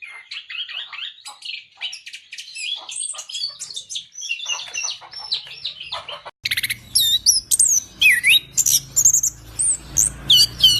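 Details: Singing orange-headed thrush kept as a cage bird: busy jumbled chattering warble, then an abrupt change to a louder passage of high looping whistles and sharp chirps over a steady low hum.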